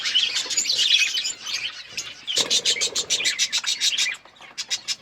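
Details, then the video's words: Pet budgies feeding and chirping: dense, warbling chatter at first, then a run of quick, sharp chirps, roughly three per second, that trail off into separate notes. "Budgies eating food birds chirping sounds"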